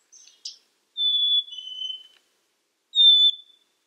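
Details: Black-capped chickadee gives a pure whistled high-then-lower two-note song after a couple of soft chips, then starts another high whistle. The background is quiet.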